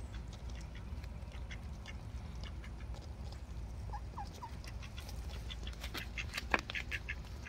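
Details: Ducks being fed quack in a loose cluster, mostly in the later seconds, with short nasal bursts over a constant low background rumble.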